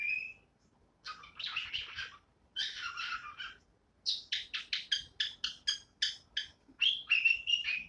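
A cockatiel sings: a clear whistle, then raspy warbled phrases and a quick run of repeated chirps.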